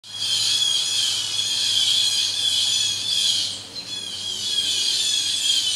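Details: Several Blue Jays harassing a hawk: harsh, overlapping screeching alarm calls in an unbroken din, with a faint low hum beneath.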